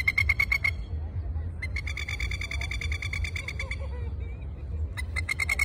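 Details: A pair of masked lapwings (Vanellus novaehollandiae) in Sydney's Royal Botanic Garden, Australia, give loud, harsh, rapid chattering 'kek-kek-kek' bursts in three volleys, the longest about two seconds, over a low background rumble.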